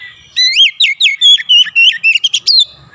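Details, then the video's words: Oriental magpie-robin singing energetically, its song filled with Javan myna (jalak kebo) notes: a quick run of clear, bright whistled phrases, some rising and some falling, with short gaps between them and a quiet background. "KACER GACOR BESET SUARA JALAK KEBO"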